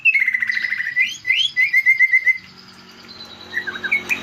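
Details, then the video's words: Green leafbird lure song for drawing out song fillers: sharp whistled upslurs and a quick series of chirping notes, then a pause and a few soft distant chips. "pancingan burung cucak ijo keluar isian"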